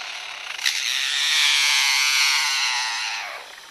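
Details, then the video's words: Lyrebird in a forest mimicking a chainsaw, one of the sounds it hears there and uses to outsing rivals: a sustained harsh, buzzy, mechanical roar that swells for about three seconds and then fades, with a sharp click near the start. "Lyrebird repeats sounds it hears in forest (Chainsaw)"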